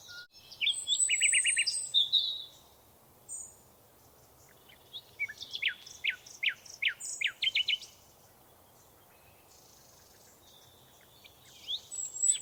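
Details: Birds in a forest sing in bursts: a chattering phrase of rapid notes, a quiet gap, then a series of sharp, high chips and trills, ending with a short chirp.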